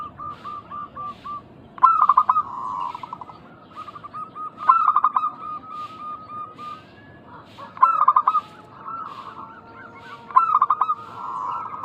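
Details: Lure recording of local zebra doves in energetic calling form, meant to make other doves call back. Repeated phrases start with a loud staccato burst of quick notes, then trail into softer rolling coos, roughly every three seconds.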